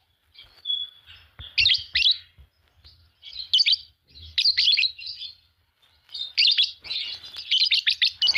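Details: A pair of green Fischer's lovebirds singing and chirping: bursts of shrill, high chirps and twittering in rapid clusters, separated by short pauses, with a dense run of sharp notes near the end.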